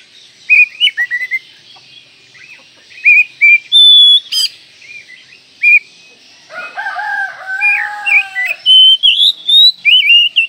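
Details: Song of an Oriental magpie-robin (kacer) for training songbirds: quick chips and whistled notes, a long bright whistle, then soft descending harmonic slurs leading into fast, rising whistled phrases.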